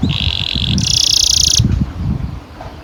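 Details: Canary song used as a lure to train young canaries to sing, a long rolling style; a steady high buzzy trill, then a brighter, higher rapid roll lasting about a second, over low rumbling background noise.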